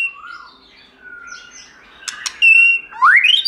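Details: White-rumped shama in forest-voice song used for song training: soft wavering whistles, two sharp clicks, then a loud steady whistle and a steeply rising sweep.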